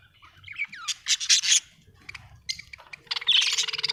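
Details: Home-kept budgerigars chattering in rapid, scratchy chirps and short sweeping notes, rising into a dense buzzy warble at the end, over a faint low hum.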